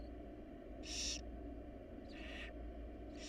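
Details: Three short, scratchy hisses, the first loudest, from a wild barn owl family in their nest box, over a continuous low mechanical hum.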